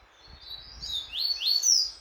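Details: Double-collared seedeater singing while training for a song tournament: high, thin slurred notes sweeping upward, growing louder over about two seconds, with a brighter rising phrase at the end and faint low background rumble.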